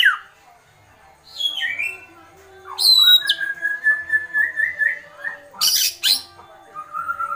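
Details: White-rumped shama calling in agitated kretekan style: scattered falling notes, then a long wavering whistle that rises gradually, cut by harsh noisy bursts and ending on a lower whistle.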